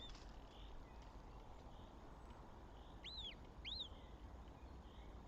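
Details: Northern goshawk at its nest with chicks in Tartu, Estonia, on 7 May 2025: two short, arched, squealing calls about half a second apart, rising then falling, over a steady low rumble with faint distant birds.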